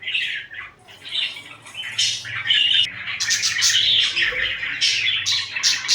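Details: Several pet budgies, cuddling and squabbling, give a busy mix of harsh squawks and bright chirps, growing denser and louder in the second half.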